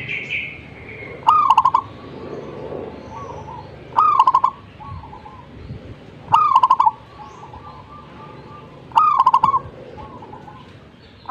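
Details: A zebra dove in full song gives rapid clicking notes followed by a trilled, gurgling coo, with softer trailing coos after it. Four phrases come roughly every two and a half seconds over low background hum.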